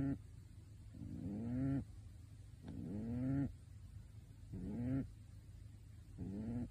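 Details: Pet pigeon dressed in a bird suit snores in its sleep. Four low, drawn-out, upward-bending hoarse notes repeat at a steady pace, each nearly a second long, over a constant low background drone.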